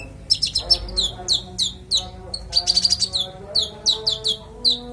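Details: Konin singing for songbird training: a lively stream of downward-slurred high chirps, with a short dense trilled burst mid-way and faint lower tones behind.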